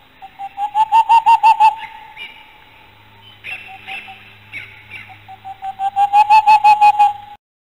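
Boreal Owl: two quick runs of about ten soft, even whistled hoots, roughly eight a second. Quieter voices fill the gap between the runs.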